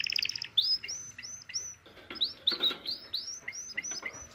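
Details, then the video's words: Male canary singing in a mating context, answering a female's call: a run of high whistled upswept notes repeated roughly every third of a second, followed by faster chirps, rather quiet overall. "اجمل تغريد لكناري نار للتزاوج"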